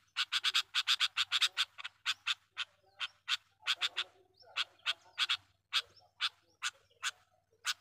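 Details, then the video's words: Sooty-headed bulbul calling, used as a lure call to attract wild bulbuls: a rapid series of harsh, clipped chattering notes, bursts of several then single notes spaced about half a second apart, in a quiet background. "burung kutilang pikat gacor dengan sara panggilan pikat kutilang gacor"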